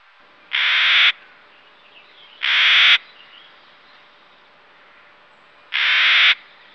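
Clark's nutcracker giving three harsh, grating squawks, each about half a second long, spaced unevenly over several seconds against a quiet background.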